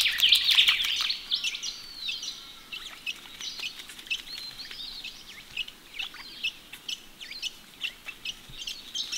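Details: Wild Australian ringneck parrots washing in a pond on a cool morning. A loud burst of chirps opens, then softer, scattered squeaky notes continue in an uneven stream against light outdoor background noise.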